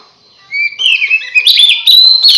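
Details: An Oriental magpie-robin's lure song, said to draw other magpie-robins in: a rich, varied song of clear whistles and quick slurred phrases, mostly high-pitched, with no other sounds.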